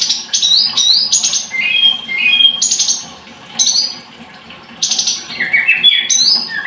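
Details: Scarlet-headed flowerpecker song in repeated bursts roughly every second: sharp high trilled notes mixed with stepped whistles that drop in pitch, separated by brief quiet gaps.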